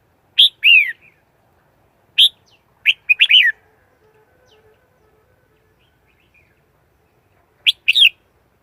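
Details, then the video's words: Red-whiskered bulbul decoy bird's song, used as a lure to trap wild birds, with no background noise: short bright warbled phrases that rise and fall, spaced with long pauses, four bursts in all. "Tiếng chim chào mào mồi dùng đi bấy cực sát bổi"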